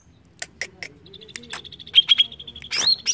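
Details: Greater green leafbird song for prompting singing: a few scattered clicks, then a thin high trill building into clear whistled notes and a loud rising sweep at the end, over soft low background murmur.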